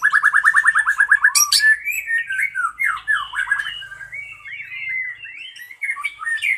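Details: White-rumped shama fighter bird singing: a fast string of repeated rising whistled notes, followed by a sharp high burst and varied slurred whistles and chattering phrases.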